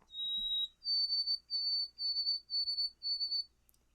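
White-throated sparrow: a pure, clear whistled song, one long held note followed by a higher step and five even repeated notes, with no other sounds.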